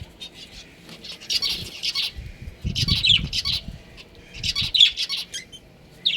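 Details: Breeding pair of pet budgerigars chirping: bursts of fast, scratchy, warbling chatter in three clusters, each lasting about a second, with soft low thumps and rustling between them.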